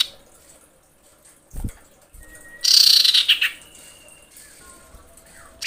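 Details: Female common iora calling to males. After a soft thump and faint notes comes a roughly one-second harsh trilled burst with a whistled streak, then thin whistles and quiet.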